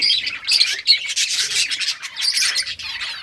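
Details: Summer breeding colony of budgies, August 23, 2023, at play: rapid scratchy squawks and chattering notes overlapping continuously, with several short loud bursts.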